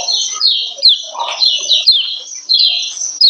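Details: Female lemon-bellied white-eye call used to arouse males into singing: rapid series of high, descending slurred chirps repeated in quick succession, with faint lower chattering underneath.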